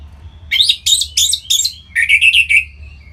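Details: Kept orange-headed thrush in North Bali, singing to stimulate other birds: four rapid buzzy notes, then a bright rolling series of quick whistled notes.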